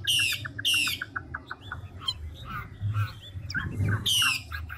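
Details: Chinese hwamei, a big wild-caught adult, voice-changing song: two harsh buzzy bursts with quick clicking notes, softer whistled fragments, a rustling thump, and a final rasping phrase over low hum.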